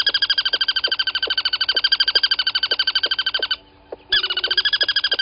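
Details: Crested barbet below a waterhole camera at Gowrie dam, Djuma Game Reserve, Sabi Sand Wildtuin, South Africa, at 07:34 on 23 August 2020; a loud, rapid, evenly pulsed buzzy trill that breaks off briefly, then resumes, over a faint low hum.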